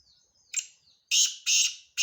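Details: Male black francolin giving its grating call: a short rough note, then a rhythmic series of three loud, buzzy, harsh bursts with a fourth beginning at the end, against a near-silent background.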